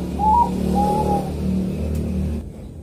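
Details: Bangkok-type zebra dove singing in a calm morning rhythm, East Java, Indonesia: short rising whistled note followed by a longer level whistle, over a low steady hum.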